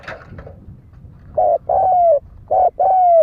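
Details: Spotted dove coo used as a lure for fighting. A few soft clicks and rustles open the recording, then two phrases, each a brief note and a drawn-out, gently falling coo.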